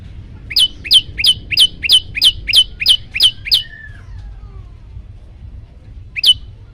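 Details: Yellow-bellied prinia song used as master recording to agitate birds: ten loud, bright chirps at a brisk steady beat, then silence and one final chirp.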